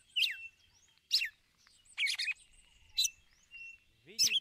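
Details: Female red-cowled cardinal uttering ticulau calls to excite the male: five crisp, downward-slurred high chirps at irregular intervals near one second, with a soft whistled note between them.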